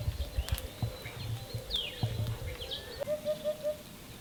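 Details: Eurasian hoopoe (Upupa epops) calling or singing in Spain after rain: a short run of soft, hollow, low 'oop-oop-oop' notes, evenly spaced near the end, with thin chirps from other birds and wind-like rumbling throughout.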